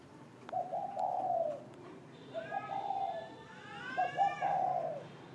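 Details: Spotted dove cooing in the morning: three low, soft coo phrases, each lasting about a second and spaced roughly two seconds apart, with higher chirping notes from another bird over the later phrases.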